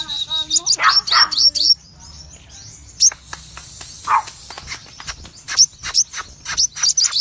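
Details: Red-eyed cremino Crimson sunbird in full, energetic ngobra song: dense clusters of shrill high chips and slurs, a brief lull with faint ticks, then quick repeated high notes roughly four per second.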